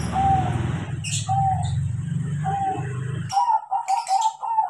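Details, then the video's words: Trained crossbred zebra dove in full song: three drawn-out whistled coos over a loud, low steady hum, then the hum stops and a quick string of five or six bouncing coo notes follows. "PERKUTUT CROSSING GACOR KARENA DIAJARI"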